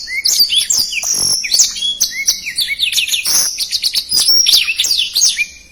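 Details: A black-throated canary sings quickly and densely, a recording meant to train contest birds: continuous high twittering full of sharp upslurred and downslurred whistles and rapid trills, fading slightly at the end.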